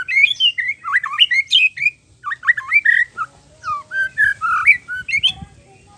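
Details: White-rumped shama singing nonstop with varied fillers, meant to provoke other males into song: quick bursts of looping whistles and sharp chips, a short pause, then further slurred, warbling phrases, with a faint low hum beneath.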